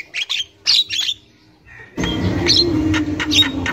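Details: Javan myna in the wild, a recording used as a lure for young mynas: bursts of harsh, buzzy squawks and chirps in the first second, a short quiet gap, then noisy calls over a low rumbling background.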